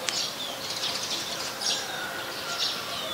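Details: Scaly-breasted munia, a very common resident, recorded on 7 January 2020 in Ubon Ratchathani, Thailand: a few short, high, breathy chirps spaced about a second apart over steady hiss, with a faint click at the start.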